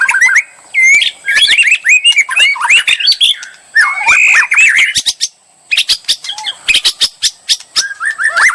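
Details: Bait song of a white-rumped shama to make a murai sing and challenge; warbled whistles and squawky notes, a brief pause, then a run of sharp clicking ticks and a low whistled phrase.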